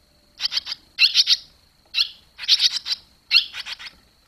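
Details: Barn swallows at the nest while the young fledge, July 2023; clusters of three to five quick, grating chirps, each group about a second apart, with a thin steady electronic tone throughout.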